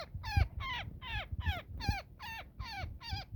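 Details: Very angry woodpecker in a net being rescued: eight harsh, buzzy squawks in just over three seconds, each sliding downward, with knocking and rustling from hands in the net.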